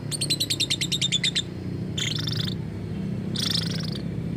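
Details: Lovebird making odd sounds said to copy human speech: a fast train of about a dozen sharp repeated chirps, followed by two harsh buzzy squawks, over a low hum.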